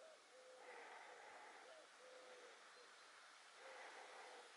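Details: Little owl in Roquesérière, France, recorded 5 August 2022: faint, low, mellow hoots held at a steady pitch, several short notes spread through the recording over a soft background hiss.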